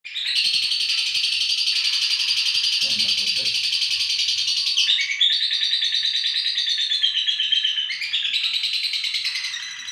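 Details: Female lovebird of the fighter type from Indonesia giving a continuous, dense, high-pitched chattering trill that runs almost unbroken for ten seconds, shifting pitch in steps; faint low thumps near the third second.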